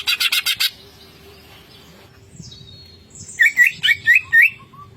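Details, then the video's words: Greater green leafbird singing ngentrok with fill-ins: a quick run of five sharp rattling pulses, a thin high whistle, then a series of bright slurred chirping notes and a soft low whistle. "CUCAK IJO GACOR NGENTROK full isian"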